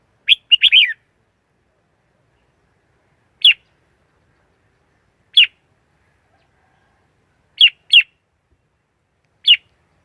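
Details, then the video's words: Decoy Red-whiskered Bulbul song for luring wild birds into traps: a rapid burst of chirpy notes, then single sharp notes and pairs every two seconds or so. "Tiếng chim chào mào mồi dùng đi bấy cực sát bổi"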